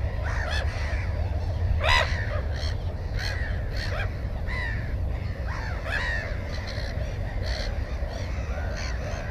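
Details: Black-headed gulls at a nest holding one egg and one chick give harsh, rasping cries, one or two every second, over a steady low rumble of wind.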